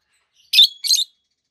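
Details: Peach-faced lovebird, one of two healthy captive adults, both green, one red-faced and one yellowish white-faced, gives two harsh, broad chirps in quick succession, the second slightly longer.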